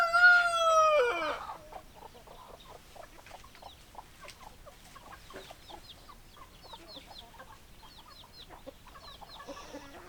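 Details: Chickens clucking: a loud harmonic squawk opens, then a steady scatter of short, quiet clucks from several hens continues through the rest.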